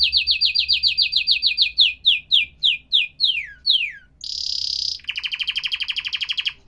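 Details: Canary song delivered in fast tours: rapid rising-falling whistled syllables repeated about every quarter second, then slower descending sweeps, a brief harsh high buzz, and finally a rolling rattling trill near the end.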